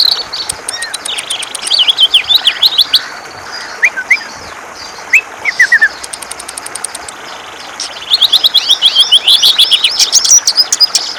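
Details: Ngentrok-style song of a greater green leafbird, a bird used to provoke other birds into singing: quick chattering chirps and downslurred whistles in stop-start phrases, ending in a dense run of high twittering.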